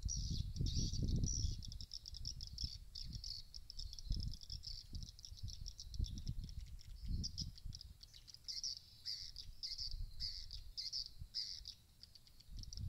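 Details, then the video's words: Swiftlet house sound played to draw swiftlets in to roost: dense, high, rapid chirping and twittering bursts that run almost continuously, over a low rumbling background noise. "SUARA RUMAH WALET CEPAT MENGINAP"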